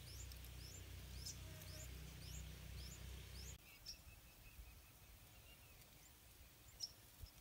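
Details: Yellow-vented bulbul nestlings in a nest among pineapple plants, fed fruit and insects by parents, beg with thin, high, rising chirps about twice a second, then softer short notes, over low wind-like rumble.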